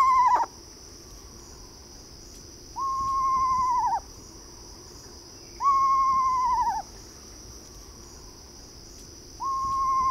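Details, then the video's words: Eastern screech owl gives four steady, low, trilled notes, each about a second long and dipping at the end, spaced about three seconds apart over a constant high insect drone. "Eastern Screech Owl Sounds: Learn their TWO haunting calls!"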